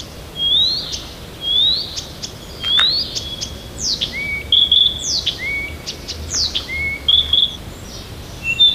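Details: Near Tomsk in the morning, a Siberian bird sings changing verses: clear rising whistles repeated about once a second, then steep downslurred notes mixed with lower flat whistles, all bright and high.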